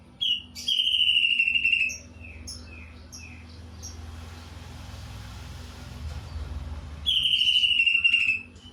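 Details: Greater green leafbird with kingfisher-imitation song: a long bright whistle and quick falling notes, a stretch of low rumbling background noise, then another long loud whistle.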